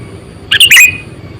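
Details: Sooty-headed bulbul, an eight- to nine-year-old lure bird kept for trapping wild bulbuls, gives one loud, brief, squawky double chirp over quiet low background noise.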